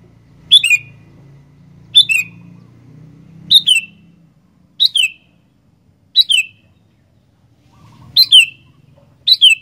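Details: Sooty-headed bulbul in full song: seven brisk, clear phrases, each a quick rising-then-falling whistled note pair, delivered roughly every one and a half seconds, with a soft low rumble early on.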